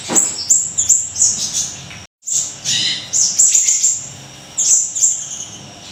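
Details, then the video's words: Siri-siri kecil in vigorous song for training songbirds: fast, irregular strings of very high squeaky chirps, about three per second, with a short silent break partway through. "Siri-Siri Kecil Gacor,, Tembakan Dahsyat Mbeset"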